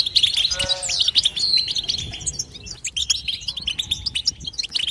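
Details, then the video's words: European goldfinch song: an opening nasal, buzzy note and a clear whistle, then a quick scatter of high tinkling chirps and trills. "بتبته حسون لا صمت"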